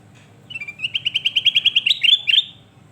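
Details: Kutilang emas, or sooty-headed bulbul, singing persistently on a tutor recording for training birds: about fifteen quick, even whistled notes in a slowly rising series, ending in a brief jumbled flourish.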